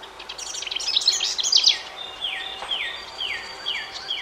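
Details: House wren parents calling at a nest box as the last two of five nestlings hesitate to fledge: a rapid jumbled burst of high buzzy chatter, then five or six descending slurred notes about every half second.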